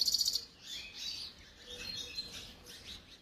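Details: European goldfinch song recorded in Algeria in 2022; a rapid run of high tinkling notes, then softer twittering phrases with brief pauses and faint background hiss.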